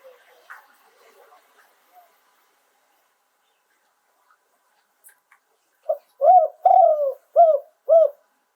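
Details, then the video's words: Spotted dove from Thailand, cooing live in the contest-prized two-kuk phrasing: near silence with faint clicks, then about five deep, hollow, rounded coos in quick succession near the end. "โยน 2 กุก คารมเด็ด เสียงนกเขาใหญ่ ขันสด"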